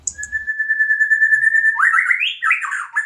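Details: White-rumped shama in breeding condition, seeking to mate: a long, level, pure whistle held for over a second and a half, then a quick burst of tumbling, varied notes climbing and dropping.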